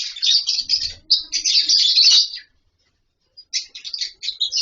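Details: Lovebirds in a colony with wooden nest boxes and mud bowls give fast overlapping shrill chirps, about two to three notes per second, then fall quiet before resuming.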